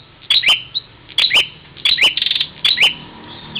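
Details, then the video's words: Bar-winged prinia fighting its reflection in a mirror at Parigi, Ciamis, West Java, giving sharp paired chirps with quick upward-sweeping notes, repeated roughly every second, with a brief rapid rattling burst between pairs. "prenjak luhur tarung dgn cermin"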